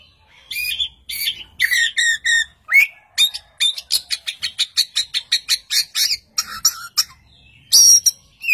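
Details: Vigorous Oriental magpie-robin song prompting another magpie-robin to answer, with harsh chattering phrases, a rising whistle, then a long rapid train of about twenty evenly spaced sharp notes and a final rasping burst.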